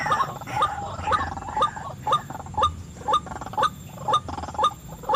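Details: White-breasted waterhen lure call for attracting wild birds: a steady series of short, hollow, rising notes, about two each second, evenly spaced over faint background noise.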